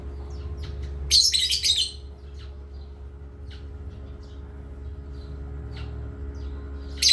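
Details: Pet parrot from Asia at playtime, giving one loud, harsh, bright chirp burst lasting under a second, followed by a few faint scattered soft chirps over a steady low electrical hum.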